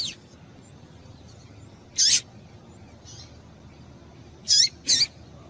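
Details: Female Double-collared Seedeater calls to get a male singing: a high chirp, then after a gap a quick doubled pair of sharp, down-slurred notes.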